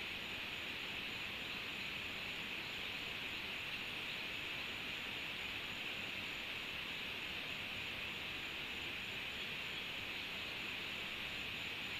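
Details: Steady broadband hiss like rushing water or distant traffic, with no animal calls heard.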